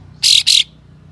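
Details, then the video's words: Loud, grating double buzz from a tail-spreading Ashy tailorbird (kapas tembak), two rasping bursts in quick succession. These rough 'besetan' phrases are used to provoke other birds. "Kapas Tembak Buka Ekor Full Besetan Kasar Pedas Untuk Memancing Katem Lain Agar Bukor"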